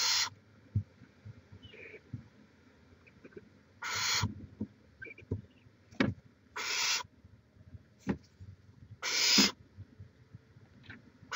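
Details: Over eleven seconds at a Chula Vista, California barn owl nest cam, 18 May 2017, five rasping hisses sound at irregular gaps, mixed with sharp ticks and a quiet low background.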